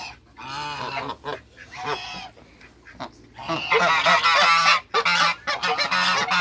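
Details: Backyard African geese, two males and one female, kept with other waterbirds; harsh rasping honks, a few spaced calls then a long loud overlapping chorus of honking.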